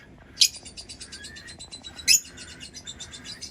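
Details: Brief burst of lovebird chirping: a fast train of thin, ticking notes with two loud, shrill squeaks near the start and middle.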